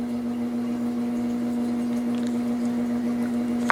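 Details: Constant low mechanical hum in a small room with faint background hiss and a brief click at the end; no animal voice present.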